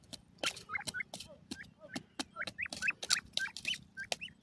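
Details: Francolin (gharwal teetar, buda partridge) giving short, rising, chirping notes in quick irregular succession, mixed with many sharp clicks and tapping noises throughout.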